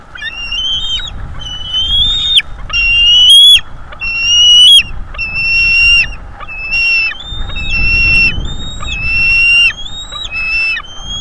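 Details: Two bald eagle eaglets, one presumed female and one male by size, still at home on the nest on 5–6 May 2022, picked up by a live-feed microphone: a long series of high, thin, rising whistled cries, roughly one every second, with soft wind beneath.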